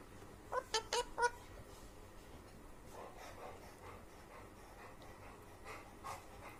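An Alexandrine parakeet mimics an animal with four quick, loud, honking barks in about a second, then softer, scattered murmurs over a quiet room.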